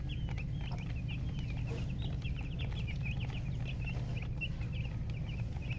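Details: Colour chickens with a murgi hen, chirping continuously: a busy stream of thin, high, bent peeps, several per second, overlapping, with a loud steady low hum underneath.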